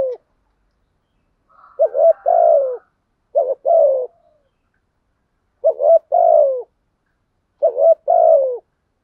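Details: A spotted dove used as a decoy to get wild doves cooing gives low two-part coos: a short wavering note followed by a longer falling one. Four phrases come at uneven intervals of about two seconds.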